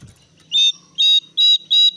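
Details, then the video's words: Brown-cheeked bulbul used as a lure to make other birds sing, giving four loud, harsh, buzzy notes about a third of a second apart, each with a steady whistled core. "PANGGILAN BURUNG JONGKANGAN COKLAT GACOR SUARA NGOTOT SAMBIL NGEPLONG"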